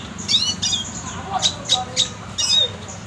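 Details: A red siskin sings a quick, high twittering song of short chirps and buzzy trills, in bursts about every half second, over a faint low hum; a tutor recording for training contest birds.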